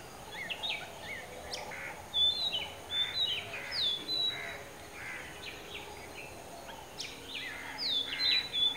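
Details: Oriental magpie-robin singing and calling from a dead coconut treetop roughly 15 m up at Kankavli, Sindhudurg district, Maharashtra; rich series of clear whistles and slurred notes, several loud phrases repeated every second or so, background hiss.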